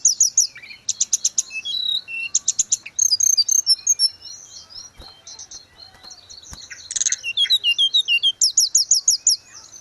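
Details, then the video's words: Long, varied grey-cheeked bulbul song, from training audio for caged birds: fast repeated chirp runs, rattling bursts, twittering phrases and arched whistles, ending in a steady rapid high series, with faint background noise. "Terapi tledekan gunung _gacor"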